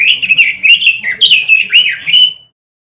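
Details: Robin song used as a lure for caged birds: a steady flow of high, slurred whistles and warbled chirps that ends in a drawn-out note, then silence.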